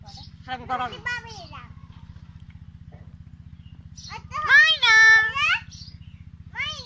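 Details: A talking common hill myna (Gracula religiosa), said to speak like girls, utters two bursts of high, girlish, speech-like mimicry with sliding whistled inflections over a steady low electrical hum.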